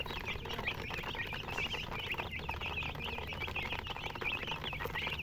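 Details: Many chicks peep continuously, short shrill cheeps tumbling over each other in a steady chorus, with faint shuffling noise underneath.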